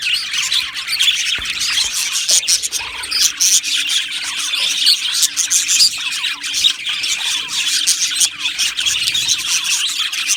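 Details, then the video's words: Aviary colony of Australian budgerigars keeping up a busy, unbroken high-pitched chatter of chirps, squawks and scratchy warbles, over a faint steady hum. "Beautiful Budgies Birds Singing and Chirping Sounds"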